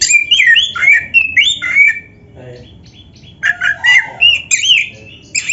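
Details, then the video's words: Oriental magpie-robin delivering varied slurred whistles and warbles meant to provoke caged birds into song, with a quiet gap before more rich, tumbling notes. "SUARA KACER GACOR FULL ISIAN"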